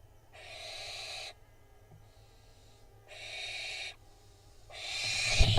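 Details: Barn owl fledglings at a nest camera in Israel on 16 June 2021, fighting over a vole; two harsh, breathy hissing bursts about a second long, separated by silence, then a third louder burst with rustling.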